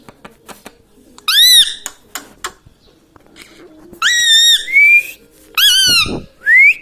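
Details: A pet parrot that talks and mimics gives clear whistled notes, each arching up then falling. They come in three groups, with short rising whistles after, against light clicks.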